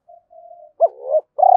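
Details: Spotted dove calling to provoke a rival: soft faint hums, then a short accented note sliding into a rising coo, and the start of a loud rolling purr.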